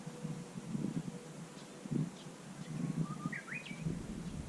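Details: Variant song of a Japanese bush warbler recorded at Susan-ri, 18 July 2020: a faint level whistle, then a brief upward-sweeping whistled flourish, with low rustling thumps and a steady background hum.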